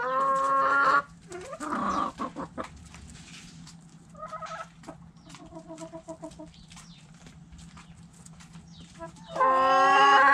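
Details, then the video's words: Roosters crowing in a backyard chicken coop among clucking hens: a loud, harmonic crow opens and another begins at the end, with soft tonal clucks and rustling between them over a low hum. "Backyard Chickens Coop Video Sounds Noises Long HD Hens Clucking Roosters Crowing!"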